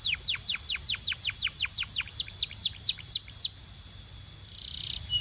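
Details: Belgian canary singing in a training song: a fast series of about fifteen whistled notes, each sweeping steeply downward, over a steady high ringing tone, ending after three and a half seconds into a faint hiss.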